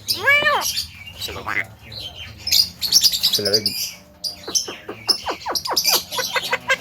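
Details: Javan myna mimicking talking, coughing and laughing: a nasal arched note, then a jumble of harsh chattering, bright chirps and rapid clicking bursts, with a human voice heard close by.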